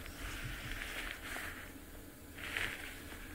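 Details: Oxpeckers give harsh, hissing rasps in two short bursts about two seconds apart, over a low background rumble, on an afternoon sunset game drive at Amakhala Private Game Reserve, Eastern Cape, South Africa, 7 April 2024.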